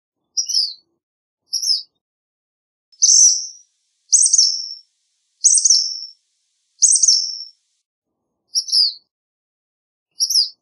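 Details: Black phoebe sings a series of high chips and loud, buzzy downslurred phrases spaced about a second apart, clean with nothing else audible.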